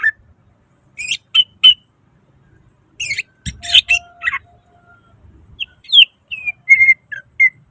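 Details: Cucak ijo, greater green leafbird, singing gacor nembak isian: scattered sharp buzzy bursts with pauses between, followed by a tidy run of clear descending whistles.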